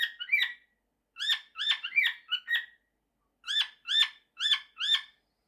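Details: Male cockatiel kept as a pet, trying a sung mashup of two human tunes: bursts of short, bright, chirpy whistled notes in clusters of three to four, separated by brief silences, with no other sounds.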